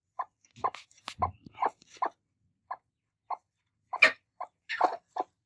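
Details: Two angry broody hens attacking, uttering irregular short clucks with scattered sharper, higher squawks and a brief scuffling sound.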